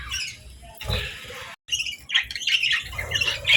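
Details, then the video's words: Morning budgies eating and bathing, a female chirping gently: harsh squawky chatter and high warbles, broken by a short silent gap, with low thuds and splashy noise underneath. "Real Budgies Enjoying Morning"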